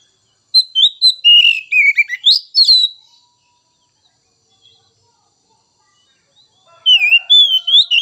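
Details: White-rumped shama song played to stir other kacer birds into singing: a fast burst of varied whistles and sharp chirps, several seconds of near silence, then another run of rising whistled notes.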